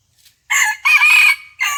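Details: Red junglefowl crowing on a morning of 27 January 2021 during decoy trapping of wild junglefowl, after the decoy bird recovered from a near-fatal fight: a loud harsh three-part crow, short opening note, long rasping middle phrase, brief closing note.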